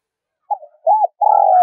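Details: Decoy spotted dove calling to provoke wild birds; a brief fragment of soft low notes, one arched coo and the start of a long loud burry coo, cut off abruptly.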